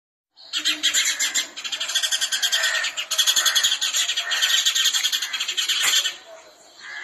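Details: Female house sparrow giving a dense, continuous run of harsh, rapid chirps, the chattering pulses packed several per second for about five and a half seconds before trailing off.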